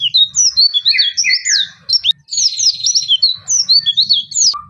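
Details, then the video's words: Oriental white-eye song in the 'nembak-nembak' style: a dense, fast stream of high twittering and buzzy chirps with a brief pause midway, then continuing in rapid bursts; faint low rumble underneath. "pleci gacor belajar buka paruh full materi nembak-nembak"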